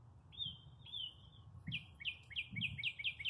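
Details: Springtime birdsong at a parking lot, after a long cold spell. Two drawn-out high notes are followed by a fast series of about seven short, sharply falling chirps. Brief low rumbles sound in the background.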